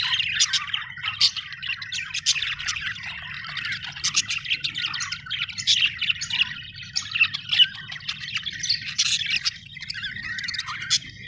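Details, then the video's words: Budgerigars chirping happily: long run of rapid, clicky, twittering chatter with scattered sharp squeaks, steady throughout, over a faint low-pitched hum. "happy budgie chirping sound"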